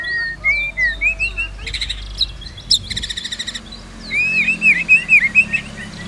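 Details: White-rumped shama song used to tutor other shamas: looping whistles, then buzzy pulsed rattles and a sharp tick, followed by a bright run of repeated wavering whistled notes.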